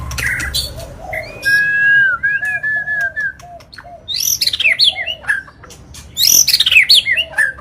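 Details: White-rumped shama singing agitated and non-stop, played to provoke other birds into singing: clear, sustained whistles and gliding notes, then bursts of rapid, high, sweeping phrases and harsh chatter in loud bouts separated by short pauses.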